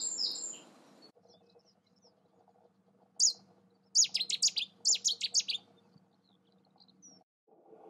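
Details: A Cetti's warbler at Newport Wetlands Reserve, in territorial/courtship display, gives one sharp note, then a sudden loud burst of rich, explosive chirps lasting under two seconds, over a low steady hum.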